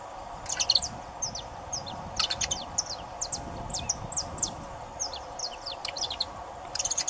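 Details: Saffron finch singing a lot, with a lively stream of high, bright, staccato chirps, several quick clusters of notes interspersed with single tweets throughout, above a soft steady hum.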